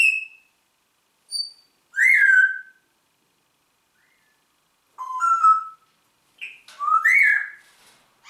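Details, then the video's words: Talking Congo grey parrot in a quiet room giving separate bursts of clear whistles, some sliding downward, others rising then dropping, with silent gaps between bursts. "sprechender Papagei"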